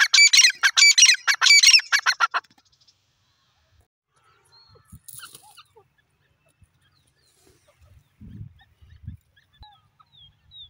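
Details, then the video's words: A francolin (teetar), possibly a female, gives a loud, harsh burst of about six rapid, ringing notes over two seconds, then falls silent, with only faint knocks and rustles after. "teetar bird ki sweet voice"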